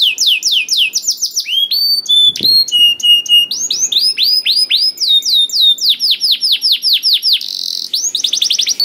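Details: Canary in lively, varied song, aimed at prompting quiet canaries to sing. The phrases shift between looping swept notes, flat sustained whistles and a brief buzzy roll, with one soft low thud.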